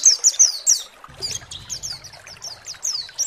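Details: White-eye (pleci) lure song meant to provoke other birds to sing. Loud, high, sharp chirps open the passage, followed by softer, quick sweeping notes over a low murmur of background noise.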